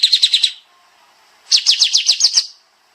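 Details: Sooty-headed bulbul (kapas tembak) singing in the dense, rapid-fire 'tembak' style: two bursts of five to eight sharp, high chirps in quick succession, each burst lasting about a second, separated by a short pause.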